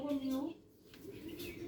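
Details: A seven-year-old talking common hill myna (Gracula religiosa) in Bandarban, Bangladesh, imitates human speech in a short, voice-like phrase of low, harmonic syllables, then fades into faint room noise.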